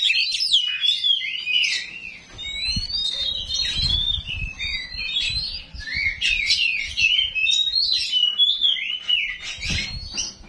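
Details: Oriental magpie-robin, small 'kacer rawit' variety, singing a long run of coarse 'isian kasar' fill-in aimed at provoking other magpie-robins; rapid sharp chips, whistled slurs and rattling phrases, with occasional low thumps in the background.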